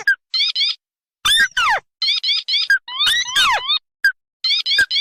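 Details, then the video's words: Red and white tikusan crake lure combination: paired short trilled chirps in small clusters, separated by pauses and by loud descending squeals. "Suara pikat burung tikusan merah vs putih"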